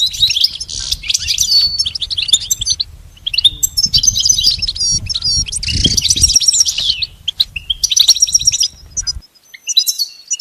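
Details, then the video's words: High, dense goldfinch twittering, part of song-training material for a pet bird, runs almost without break over a low background rumble, then ends with scattered chirps. "Teaching the goldfinch the art of song-advanced lessons in best chirps"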